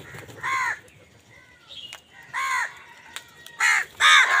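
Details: Crows cawing angrily while fighting other wild birds for food: harsh, broad, ringing caws in short bursts, two spaced apart then a quick louder pair at the end, with faint thin bird chirps between.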